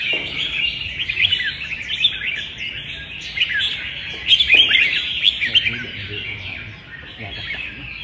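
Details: Red-whiskered bulbuls competing in song on 15/12. Lively chattering warbles and sharp chirps pour out almost without pause, with louder clusters near the start and middle before a softer, thinner finish.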